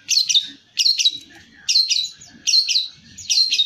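Long-tailed shrike giving harsh, scratchy chattering bursts, each about half a second long, repeated roughly every 0.8 seconds, with faint low rumbling underneath.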